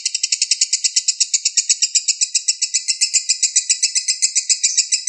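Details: Lovebird, young balibu, singing long dense bursts: rhythmic, rasping high notes at roughly four per second, slightly louder and shriller toward the end of the five seconds.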